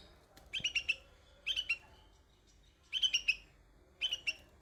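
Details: Young bulbul on white flowers: bright bursts of three to five rapid, slightly descending chirps, with pauses of about a second between groups.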